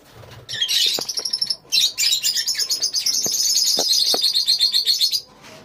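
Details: Lovebirds in a colony keep up an unbroken, piercing chatter of fast repeated high chirps, about four per second, lasting several seconds before fading.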